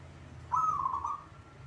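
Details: Zebra dove, caged local bird, singing: a single bright coo phrase breaking into rapid wavering pulses, lasting about three-quarters of a second, over a soft low hum.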